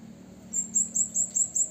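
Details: Blue-crowned hanging parrot call to anger rivals: six quick, shrill, high-pitched notes repeated at a steady rapid rhythm, faint low hum underneath.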